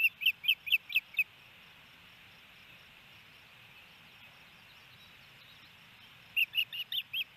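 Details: At a nest in Hellgate Canyon, Missoula, Montana, 28 May 2018, a male osprey brings fish and feeds the female: loud, clipped whistled chirps about six per second, silence for five seconds, then a second burst.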